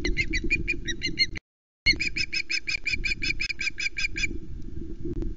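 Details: Osprey at a Loch Arkaig nest, 9 April 2020 at 15:09, the adult bringing fish as the female flies up with it; a rapid series of shrill, piping chirps, about three a second, broken by a brief gap, over low hum.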